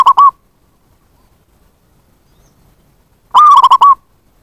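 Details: Zebra dove lure sound meant to draw in wild doves: the tail of one rapid coo phrase, a quiet gap of about three seconds, then a full stuttering, rolling coo burst.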